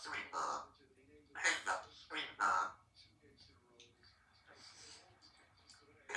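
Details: Three-year-old female Congo African grey parrot, a talkative pet living in a country home, speaking a few rough word-like syllables in quick bursts, then quieter murmurs and clicks, with one more sharp syllable at the end.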